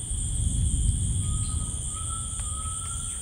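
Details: A Gray Tinamou in rainforest gives a single thin, pure whistle that slowly rises, over steady insect drones and a deep low rumble.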